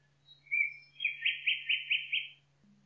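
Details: Woodland nightingale: faint high notes and a whistled note lead into a loud rhythmic series of six repeated notes at even intervals, then a short pause. Steady low hum underneath.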